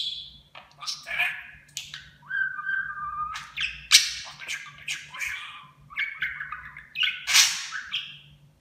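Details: Pet budgerigar talking in imitation of Turkish phrases; scratchy squawks, chirps and short whistled tones in an irregular, chattering stream, with a few louder harsh bursts.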